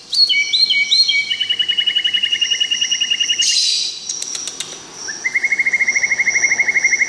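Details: Wild-recorded white-rumped shama song, a varied melodious run: rapid repeated whistled trills stepping down in pitch, a brief harsh burst near the middle, then a long fast even trill of clear notes to the end.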